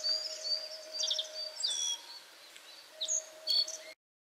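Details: Black-faced bunting singing while perched on a cherry tree branch: bright high chirps, short slurred whistles and quick trilled phrases, separated by brief pauses, with a steady low hum running beneath.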